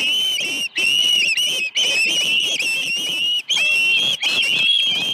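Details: Osprey calling at a ranch nest on the morning of 21 August 2019, when two fish were delivered: loud, shrill whistled calls run almost without break, each slightly rising and wavering, with only short pauses between bursts.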